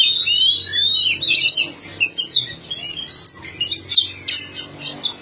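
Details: Oriental magpie-robin in full song, long sweeping whistles then tumbling chirps and sharp clicking notes, growing choppier toward the end, with a faint low hum in the background.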